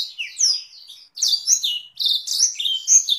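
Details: Canary singing masteran tutor song with Blackthroat-style roll variations, meant for training canaries and Oriental magpie-robins; high warbled phrases and sweeping whistles with a short pause near the middle, no other sounds.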